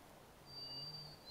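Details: A White-throated Sparrow in Canada gives a pure, steady high whistle of under a second, then the start of a second, slightly lower note, over a faint low hum; a crow and a Yellow Warbler are also calling.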